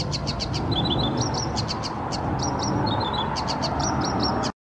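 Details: Garden wren in May 2022, giving high, quick repeated notes and short twittering phrases, partly masked by steady low-pitched background noise.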